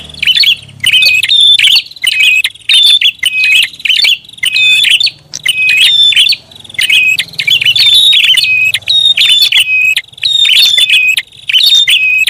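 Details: Long, noisy prinia lure sequence with about fifty chattering bursts a minute. Each burst holds scratchy clicks and a high whistled tone, with uneven spacing. A soft low rumble sits in the background.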